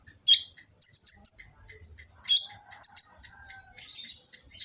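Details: Olive-backed sunbird, known locally as kolibri ninja, in Gresik, East Java, singing its full-filler master song: sharp downslurred chips and quick high trills, then softer thin twittering, over a faint low hum.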